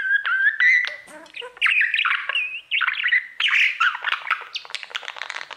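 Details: Male budgerigar warbling to his mirror with clear whistled notes at the start, then a continuous jumble of squawks, chirps and raspy chatter in rapid succession.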